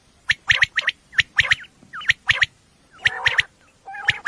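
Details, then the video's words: Common quail calling at night, a recording used for hunting, described as female: crisp clipped notes grouped in threes, repeated about once a second, with a brief buzzy, grating phrase near the end. "batair ki awaz night batair sounds for hunting بیٹر کی آواز"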